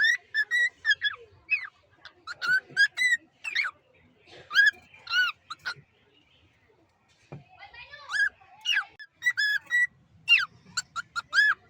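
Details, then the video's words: A hand-fed cockatiel on day 23 of a hundred-day hand-feeding challenge, calling indoors with a steady stream of short, bright chirps, upslurred and downslurred, in quick clusters separated by brief pauses. "Cockatiel real cute sound"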